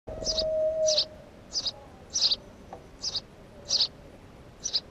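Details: House sparrow in unedited documentary footage without commentary, giving short, bright single chirps spaced about two-thirds of a second apart. A brief low whistle-like tone sounds at the start over a soft background hiss.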